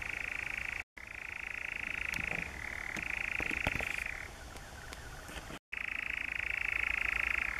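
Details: European nightjar song from the Brecks, Norfolk, 7 July 2017: a dry, fast churring trill that shifts down and back up in pitch, broken by two short silences, with scattered clicks in between.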